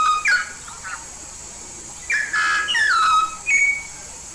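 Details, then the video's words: Lively yellow-faced myna from Papua gives a brief whistled note, a pause, then a harsh buzzy burst followed by a long clear whistle sliding downward and a short high note. "burung jalak paru kuning"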